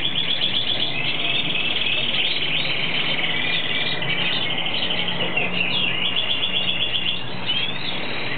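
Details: A hooded siskin in the breeding season sings a long, fast, unbroken twitter of high chirps, trills and short slurred notes over a steady low rumble of background noise.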